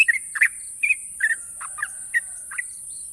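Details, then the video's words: Sooty-headed bulbul, national champion songbird, giving a burst of bubbly chirps followed by sparser whistled notes, about eight phrases in three seconds, with faint hiss behind. "burung trucukan juara nasional ropel panjang dan tajam"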